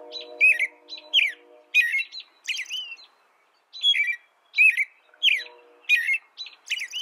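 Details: American robin giving a series of rich warbled caroling phrases, roughly one per half second, with a faint steady low hum at the start and again partway through.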